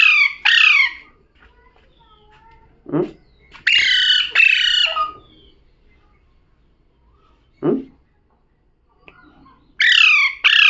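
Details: Talking parrot giving pairs of harsh, falling squawks repeated three times, separated by low knocks and faint background noise.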